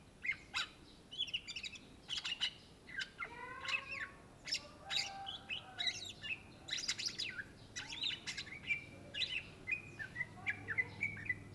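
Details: Greater green leafbird (cucak ijo) singing energetically: continuous mix of clear whistles, harsh chatter and quick trills, dense high phrases throughout, slight low rumble near the end.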